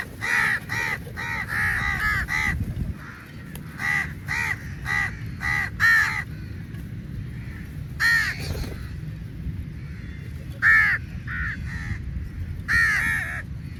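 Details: Many crows squabbling over meat at a feeding: bursts of loud, hoarse caws in quick clusters, pausing and resuming several times, with a constant low rumble underneath.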